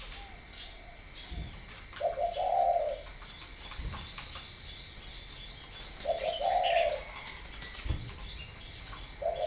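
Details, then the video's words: Spotted dove from northern Vietnam giving mid-pitched cooing phrases roughly every four seconds, each a short run of soft rolling notes, over steady high insect-like hiss and occasional low thumps. "chim cu gáy hay miền bắc"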